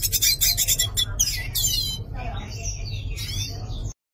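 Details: Yellow-faced siskin, called pintassilgo do nordeste, singing: dense, harsh, rapid twittering bursts for two seconds, then softer, thinner warbled and buzzy phrases. A steady low hum runs underneath throughout.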